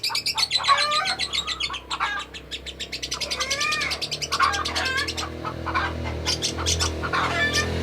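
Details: Lovebird giving a long ngekek chatter, a continuous run of rapid, harsh, squeaky chirps and trills in repeated bursts, over a steady low hum in the background.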